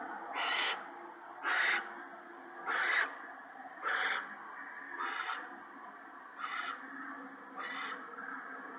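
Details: Owl at a nest where the male brings food to his mate and owlets, on an evening in March 2017: a series of breathy, hissing bursts repeated about once a second, fading slightly over time.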